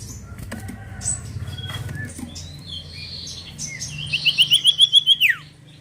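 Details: Common iora, also called cipoh or sirtu, used as a lure recording: wing flutter and scattered high chirps, then a rapid trill of about ten clear, sharp notes ending in a steep downward sweep.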